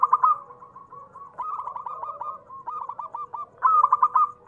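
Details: Zebra dove, a local bird singing actively, heard as a lure for other doves: a bright stuttered start, a long rippling series of gentle coos, and a second loud burst near the end.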